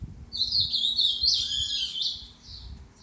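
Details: A Green-winged saltator, at 10:40 on Tuesday 29 December, sings a rich, high, rapid warbling phrase of about two seconds, bright and slightly buzzy, with a soft lower whistle beneath it.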